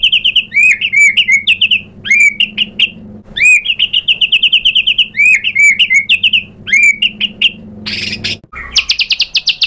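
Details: Excited white-rumped shama answering a lure and showing off its repertoire of filler phrases: loud, clear whistled phrases with upslurred notes, repeated several times, then a burst of rapid high chattering notes near the end.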